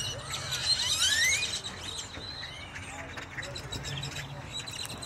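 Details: A Halloween flock of blackbirds at a Wal-Mart in Dallas, October 2022, gives bright rising squeals and chirps, loudest in the first two seconds, over a low background hum.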